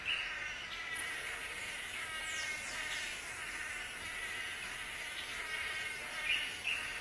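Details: Mating ritual of the blue manakin in forest. Steady, fairly soft buzzy and nasal calling runs throughout, with faint downward-sliding notes and a few brief high chips against background hiss.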